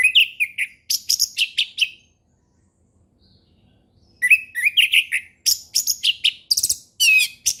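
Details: Orange-headed thrush in calm ngeplong song, a lure for young birds: long runs of loud, varied whistles, trills and chirps repeated in quick succession, broken by a two-second silence before the singing resumes.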